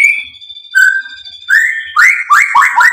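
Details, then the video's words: Singing white-rumped shama, stirred to answer back and show its learned repertoire, gives long pure whistled tones, then a run of four or five loud upslurred whistles in quick succession. "MURAI BATU GACOR MEMANCING EMOSI JADI NYAUT BUNYI BONGKAR MATERI ISIAN"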